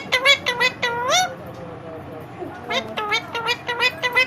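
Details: Indian ringneck parrot imitating Hindi speech: two rapid runs of squeaky, nasal syllables ending in a rising, wobbling phrase, a brief pause, then a string of clipped repeated syllables.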